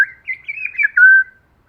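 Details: Short White-rumped shama phrase from a forest style lure recording, female or male-and-female: wavering warbled whistle that settles into one long clear lower whistle.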